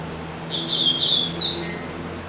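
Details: Caged double-collared seedeater, a pet bird said to sing all day, pausing only to eat: a loud song of high buzzy notes followed by two sharp descending whistled slurs, fairly quiet room.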